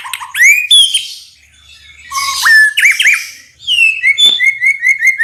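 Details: Murai batu (White-rumped shama) singing hard with loud rattling notes, meant to prompt responses from other shamas: sweeping upslurred whistles, a scratchy burst, then a steady run of short repeated whistled notes.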